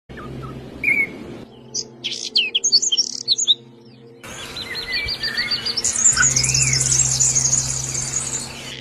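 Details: Birds chirping: short high chirps and rapid twittering notes, with a quiet stretch in between, over a steady low hum.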